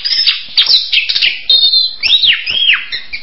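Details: Song of an orange-headed thrush mixing quick twittering notes with two loud arched whistles that swoop up and then drop sharply near the end.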